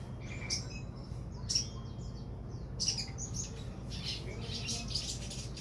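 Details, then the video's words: Sogon bird producing sharp chips and brief whistled slurs, then a run of dense, raspy high bursts toward the end, with a continuous low droning hum beneath. "burung sogon"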